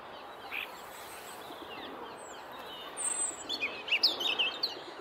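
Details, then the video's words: Robin in good voice beside a leaf yard, too busy singing to flee the camera: high, thin, rapid warbling notes with sharp slides and twiddles, bursting out in the last two seconds after a quieter start, above steady low noise. "Robin singing beside the leaf yard"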